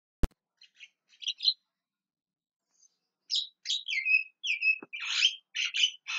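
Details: Javan myna calling loudly: after a sharp click and a few soft chirps, a run of harsh, scratchy notes and squawks in the second half, some sliding down in pitch.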